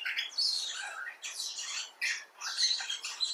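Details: Common bulbul (Pycnonotus barbatus) talking in rasping, breathy bursts, several scratchy phrases separated by short dips, high and noisy rather than tonal.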